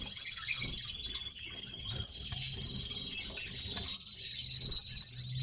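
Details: Indoors in captivity, tits produce steady high, fine trills overlaid with quick chirps, while occasional soft thumps sound from the cage.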